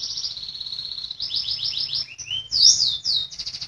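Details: Canary in full song, used as a tutor recording for caged birds that have stopped singing: high continuous trills and rolling phrases, fast repeated notes shifting to sweeping upslurred notes and a bright loud flourish, over a low steady hum.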